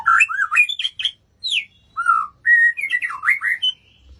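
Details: White-rumped shama song of varied whistled phrases, rising and falling glides and quick warbles, separated by brief pauses.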